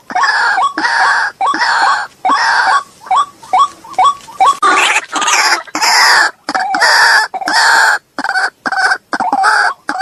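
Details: Lure sound for white-breasted waterhens: long harsh screeching bursts alternate with rows of short rising croaks, then turn into rapid, choppy rasping notes, loud and irregular throughout.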